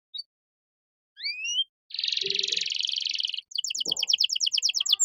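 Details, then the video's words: Canary master song used to train caged songbirds, heard as a thin rising whistle, then a long buzzy trill and a fast run of evenly repeated sharp chips; a short low thump midway. "MASTERAN KENARI GACOR || Cengkok Mewah Mudah Masuk untuk Burung Bahan"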